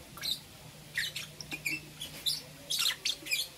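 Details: Two green opaline lovebirds in the morning, heard as quick, thin, high chirps and squeaks in irregular short bursts, roughly two per second, against a faint low hum.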